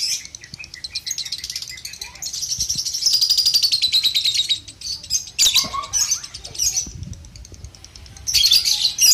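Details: Lovebird giving its ngekek song, meant as training audio for juvenile lovebirds: a long, unbroken, fast shrill trill lasting several seconds, then shorter chattering bursts and a loud final run.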